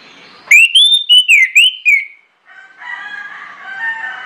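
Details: ['Orange-headed thrush singing as a lure to set other birds singing: a loud run of about six clear, rising and falling whistled notes, then quieter lower warbling from another bird.']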